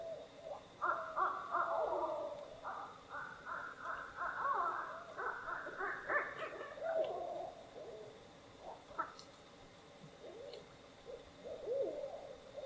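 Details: Active Barred Owls on a lake in Algonquin Park's Western Uplands in early spring break into a frenzied, cackling run of hoots and yowls for several seconds, then fall to a few scattered, wavering hoots, all in the distance.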